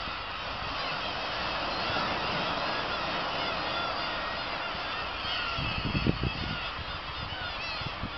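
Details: Dense colony din of black-tailed gulls on Kabushima, recorded 2 August 2012 after fireworks: overlapping mews and cackles blur into one rough roar, with low thumping knocks near the end.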